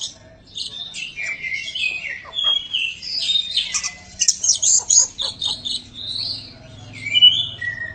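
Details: White-rumped shama, a prize-winning caged kacer, singing a dense, varied run of high chirps, trills and whistled phrases that rise and fall without pause.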